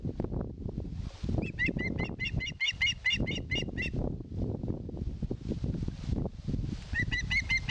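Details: Osprey at its nest in Satakunta, Finland, asking for fish, captured by a live nest camera in 2022: quick runs of high, piping whistled notes over heavy rumbling wind noise, one run early and another near the end.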